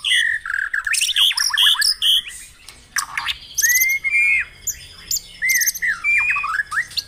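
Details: White-rumped shama song used at morning dewing to stimulate caged birds: fast chirps and scratchy bursts, then long clear whistled slides and varied warbled phrases separated by brief gaps.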